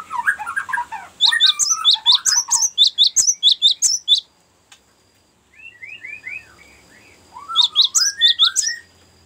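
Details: Cinereous tit giving a long rolling 'ngerol' song, meant for luring birds and tutoring caged birds; bursts of rapid, sharp high notes at about 1.5 per second, broken by a pause and a run of lower slurred whistles.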